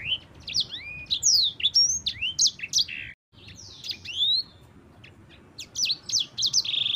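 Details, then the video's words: Yellow-fronted canary, known locally as sanger, singing in the continuous ngerol style: bright rising and falling whistled slurs and chirps, broken by a very brief silent gap, then resuming with buzzy trilled phrases. "PANCINGAN BURUNG SANGER JUARA - NGEROL SUARA JERNIH"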